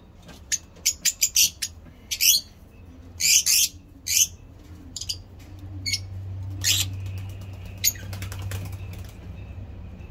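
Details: Lovebirds kept for breeding give sharp, harsh chirps in quick bursts, several clustered at the start and then spaced out, with a steady low hum underneath.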